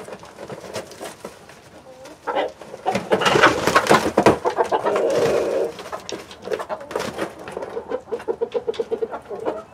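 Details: Backyard chicken flock of hens (Light Brahma, Barred Plymouth Rock, White Leghorn and others) with Rhode Island Red roosters clucks and murmurs in a busy, uneven run of short notes, with a louder squawking burst midway and scattered bird calls around.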